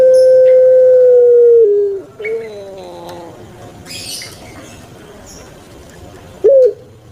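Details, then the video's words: Kept puter pelung turtle dove from Java, Indonesia, giving its long cooing: a steady held note of about two seconds that slides down, then a rougher harmonic 'kwok' phrase and a brief high final note. "𝙋𝙐𝙏𝙀𝙍 𝙋𝙀𝙇𝙐𝙉𝙂 𝙎𝙐𝘼𝙍𝘼 𝘼𝙎𝙇𝙞 𝙋𝘼𝙉𝙅𝘼𝙉𝙂 𝙆𝙒𝙊𝙆 𝙏𝙀𝘽𝘼𝙇"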